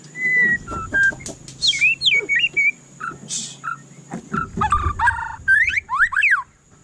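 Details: Varied, lively White-rumped shama song mixing clear whistles, fast slurred phrases, harsh buzzy notes and steeply dropping sweeps in quick succession, with some low rustling noises underneath.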